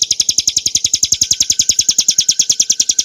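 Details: Bar-winged prinia, Prinia familiaris montana, in clear ngebren nembak song for cage-bird training: a short burst of fast, uniform, high-pitched chipping notes, evenly spaced throughout.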